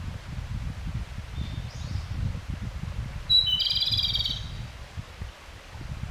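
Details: Japanese robin, song described as subsong: a faint thin note, then one loud phrase of a high whistle running into a brief rattling trill, over a constant low rumbling background noise.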